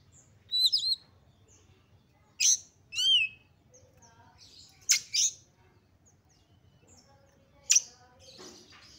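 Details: Highly excited Oriental magpie-robin singing to stir other magpie-robins to sing. Scattered high whistled notes with curving slurs and sharp clicks. A harsh, scratchy burst comes near the end.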